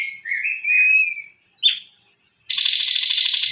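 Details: Leafbird singing in the tembakan style: slurred whistled notes with rich overtones, a short sharp chip, then a dense harsh buzzy rattle that fills the final second.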